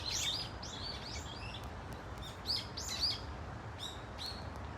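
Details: Brown-eared Bulbul flock at Dunsan Grand Park, Korea, giving shrill slurred squeals in short clusters with brief pauses, a few clicks between, over a constant low rumble of background noise.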